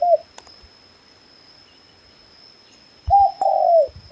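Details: Red junglefowl calling in forest habitat: a brief tonal note at the start, then after a quiet pause a loud two-part crow with a short phrase and a longer falling note, with a steady faint high hum behind.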